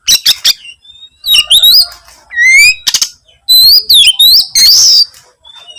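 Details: Oriental magpie-robin singing persistently in search of a rival: dry clicking rattles, then rich looping and upslurred whistles, scratchy notes and a harsh rasp, all loud and rapidly varied.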